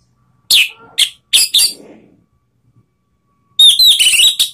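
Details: Orange-headed thrush provoking rivals with its song: a few separate, strong whistled notes falling in pitch, a pause, then a dense, fast warbling phrase of high, piercing notes.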